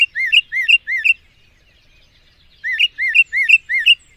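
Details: Mockingbird (cenzontle) delivering two bursts of four slurred, rising-and-falling whistled notes, separated by a pause of about one and a half seconds, in otherwise quiet surroundings.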